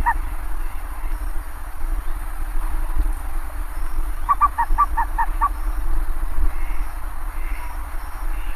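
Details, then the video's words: Bare-faced ibis: one honk at the outset, then a brisk string of six short nasal honks midway, with a persistent low droning rumble underneath. "Canto do TAPICURU, tapicuru-de-cara-pelada, maçarico-de-cara-pelada, maçarico-preto."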